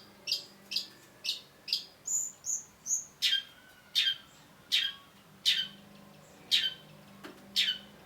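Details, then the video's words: Cendet, or long-tailed shrike, singing: a steady series of about fifteen sharp, clipped chirps, some higher whistled ones in the middle, repeated roughly every half second. "cendet gacor MASTERAN CENDET BAHAN AGAR TIDAK MACET SUARA || Long-tailed Shrike"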